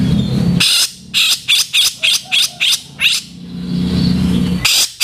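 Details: Harsh 'kasaran' calling of a Grey-cheeked bulbul, recorded as training material for cage birds: unevenly spaced scratchy, buzzy bursts, roughly seven in a row, with a low rumbling hum between them.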